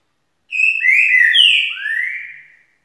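A green-winged saltator sings one rich, whistled phrase of overlapping slurred notes, rising then falling, about two seconds long, against a quiet background.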